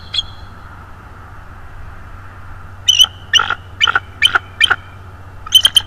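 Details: Subadult bald eagle visitor at a nest, 19 Dec 2022: after a pause, several spaced, shrill squeaky notes follow one another about every half second, ending in a quick high chatter.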